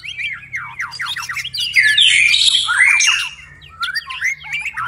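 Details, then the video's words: Night-time song of a white-rumped shama, still in full voice: quick descending whistled strokes, then a loud tangle of rich warbled and chattering phrases, easing into softer varied notes with a faint low hum behind. "murai batu tetap gacor di malam hari"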